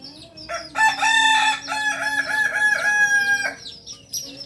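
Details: Kokok Balenggek chicken, Solok's native singer, raised on a farm in Solok city. A loud crow of about three seconds breaks into a chain of rapid, warbling segments. Light chirping of small birds comes before and after.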